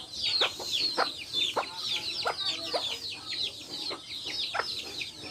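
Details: Backyard hens with chicks: chicks cheep in high descending notes while a hen clucks roughly twice a second, the clucks short and abrupt.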